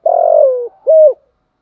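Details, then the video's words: A decoy spotted dove ends a giọng thổ phrase with a long, throaty, rolling coo that drops in pitch, then a single clean, even coo. "tieng chim cu gay thuc gu/ cu mồi giọng gáy bài bản, cu gáy giọng thổ, cu gáy"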